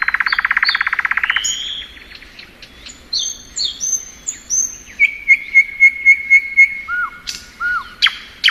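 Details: Thrush nightingale spring song beginning with a fast dense rattle, then scattered high whistles and a run of six ringing piping notes followed by two low slurred calls.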